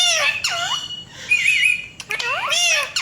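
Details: Talking pet Indian ringneck parakeet copying a cat's voice; loud squawks bending down then up, a warbling middle passage, and another burst of arching squawky notes, indoors.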